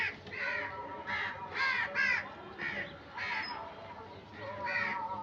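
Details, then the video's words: About ten rough, nasal crow caws repeat at roughly half-second to second intervals, some doubled, with steady low background noise. "Crow Sound"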